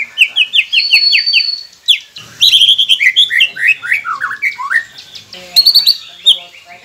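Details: White-rumped shama, in masteran training song meant to get quiet birds singing: quick repeated whistled notes and a held high whistle, then a tumbling run of descending slurred notes, ending in a few sharp chips.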